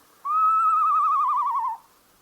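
An Eastern Screech-Owl gives a single horse-like whinny: a clear whistle about a second and a half long that holds steady, then quavers and sags at the end.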